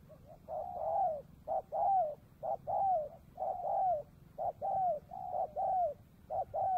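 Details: Spotted dove recorded close up on an afternoon trapping outing by the Cambodian border; regular pairs of a short note followed by a strong, sliding-down coo, repeating about once a second against quiet low background noise.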